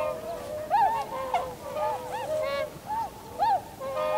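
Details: Tundra swans in a winter flock, 7 February 2015, giving repeated arched honks, short bugled notes rising and falling, overlapping from several birds over a steady murmur.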